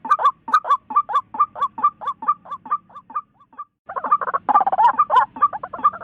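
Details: Harsh, rhythmic croaking from a white-breasted waterhen, notes two per second. It fades to a brief pause near the middle, then resumes louder and more crowded, with a burst of rougher, overlapping notes.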